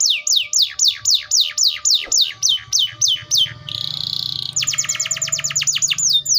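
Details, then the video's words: Atlantic canary (Serinus canaria) sings a rapid series of high, falling whistled notes, then a buzzy trill and a fast run of sharp chips. "THE VOICE OF THE CANARIA SERINUS BIRD"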